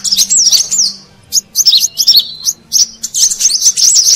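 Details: Brown-throated sunbird lure call for wild birds: short bursts of sharp, squeaky twittering with swooping notes, separated by brief silences, a faint low hum beneath.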